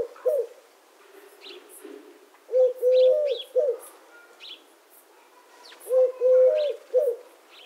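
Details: Eurasian collared dove cooing twice in clear three-note phrases, the middle note held longest, while other birds chirp and twitter at higher pitch between the phrases.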